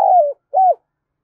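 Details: Lure-call cooing of a spotted dove from Dong Nai, Vietnam: two short, slightly falling hollow coos a moment apart, loud and clear against silence.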